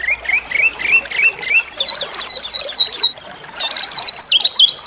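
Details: Small songbird singing as a masteran training song to provoke white-rumped shamas to sing: short upslurred whistles repeated about four per second, first lower, then higher and sharper, ending in scattered chirps.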